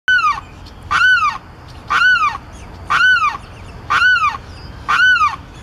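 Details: A limpkin up close on a boardwalk railing at Celery Fields, Florida, gives six loud, harsh wailing screams about once a second, each a rich, nasal arching note, with faint background hiss between.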